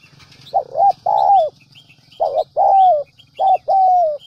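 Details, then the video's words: Trained decoy spotted dove from the Central Highlands of Vietnam cooing in a steady pattern: paired short notes leading into a longer falling coo, three phrases in four seconds, small birds chirping faintly. "Chim Cu gáy mồi đỉnh tây nguyên"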